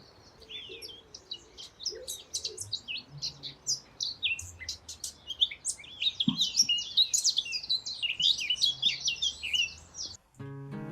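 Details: Male Eurasian blackcap song that opens with quiet, muffled, scratchy chatter, then grows more confident, swelling into louder, rich fluting phrases. A brief musical tone closes the recording.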